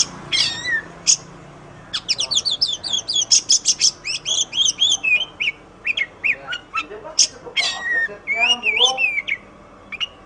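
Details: White-rumped shama singing a long, varied song of rapid whistled phrases, sharp chirps, and descending slurred notes in quick bursts, some phrases repeated in series, clean with no other sounds.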